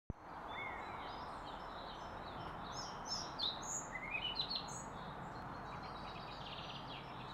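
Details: A European pied flycatcher near Pilisszentlászló gives a brief, high song phrase of quick sweet notes stepping upward, over a steady loud rushing background like wind or running water.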